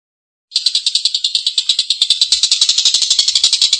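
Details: Collared kingfisher giving a long, rough laughing call: a dense run of harsh rasping pulses, about three a second, starting after a brief silence and growing steadily louder.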